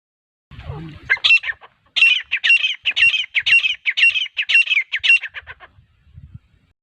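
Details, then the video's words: Female Grey Francolin, a hunting lure call: a fast series of about fifteen harsh, squawking notes, roughly three per second, high and even, after a brief low rumble at the start. "Female Grey Francolin Hunting Voice"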